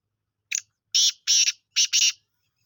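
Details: Black francolin, called kala teetar, Sindhi lal potiya type, uttering its harsh phrase: a short scratchy note, two drawn-out grating notes, a pause, then a final grating double note, loud and dry with no other sounds.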